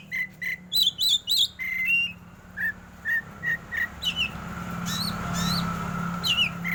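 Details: Oriental magpie-robin, black form, in a "batuk" competition song over flowing water: clear whistled notes repeated in quick runs, some with higher overtones, then a steady murmur of water beneath later phrases.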